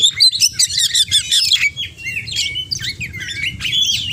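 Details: Oriental magpie-robin pouring out rapid song full of imitated notes: quick repeated chirps, about 158 per minute, crisp whistles and trills, brighter at first then softer, low hum underneath.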